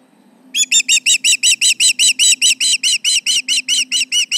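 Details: At the Charlo nest on a late July morning in 2019, an osprey alarms at intruders around the nest: an unbroken run of about seventeen shrill, clipped whistles, evenly spaced and strong, over a faint electrical hum.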